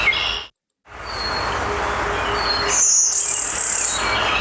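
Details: A male Blue-winged Warbler sings his territorial song to advertise himself to females and warn off rival males: a very high, dry, insect-like brief buzz, then a longer, slightly lower buzz. Faint thin whistles from other birds sound earlier.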